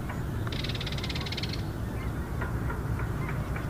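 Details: A belted kingfisher over Scotch Pond at Steveston on Friday 27 October 2017 gives a dry, rapid, high-pitched rattle lasting about a second, then a few faint short notes, over a steady low rumble.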